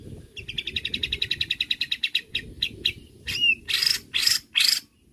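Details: White-rumped shama song, used as bait to provoke other shamas, opening with a long rapid train of short whistled notes, then a sliding whistle and harsh buzzy bursts, over low rumbling background noise.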